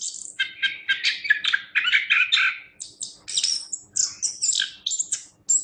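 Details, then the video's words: Chestnut-capped thrush (anis kembang) singing energetically in a training recording for songbirds: a dense stream of short, varied chirps and squeaky notes, bursts pulsing several times a second with no gaps. "Suara Burung Anis Kembang | Gacor"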